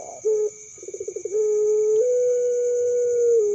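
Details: Puter pelung dove youngster, noted for calling both day and night, gives a short coo, a fast accelerating series of throbbing pulses, then a long level droning note that steps higher and ends with a slight fall.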